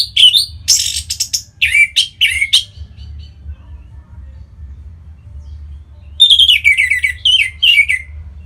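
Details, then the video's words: Orange-headed thrush song for drawing out other birds' singing: varied loud warbles and scratchy bursts for under three seconds, a quiet gap, then a series of rapid descending repeated notes. "Punglor Merah Lagi Berkicau.. Untuk Pancingan Bunyi"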